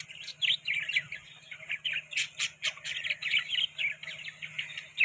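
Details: Eating soft food, budgerigars give a lively run of high warbled chirps and squawks, with sharp clicks between them and a faint low hum underneath.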